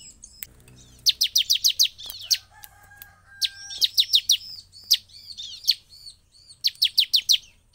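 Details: A Bar-winged prinia (Prinia familiaris) gives quick bursts of five or six sharp, high chirps, repeated after short pauses, over a faint steady tone; this song is said to rouse other prinias into singing.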